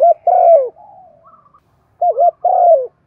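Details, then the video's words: Spotted dove cooing to excite other doves: a low falling coo trailing into soft murmurs and a faint higher note, then a clear wavering double note followed by a longer descending coo. "Tiếng chim cu gáy thúc gù + gáy gọi để dùng kích bổi nhanh gáy"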